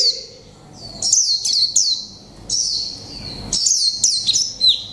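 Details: A one-month caged white-eye of the mộc tinh type sings líu pha chòe trống: thin, piercing, downward-swept notes clustered in two phrases, fast and bright, against a quiet room.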